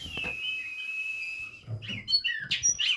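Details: Oriental magpie-robin in a breeding facility in Banjarnegara, Central Java: a long steady whistle held for a second and a half, then quick varied chirps and slurred notes, with low background thumps.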